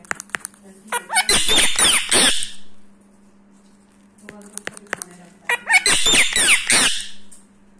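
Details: Indian ringneck parrot, a seven-year-old rescued male living in India, rubbing its beak and talking; dense bursts of harsh chattering syllables in two spells separated by quiet, with a steady low hum behind.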